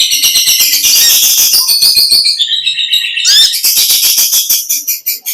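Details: Olive-backed sunbird singing vigorously in the long 'ngekek panjang' chattering style: an unbroken, very high, rapid twittering stream with rapid ticking and a rising swept note near the middle.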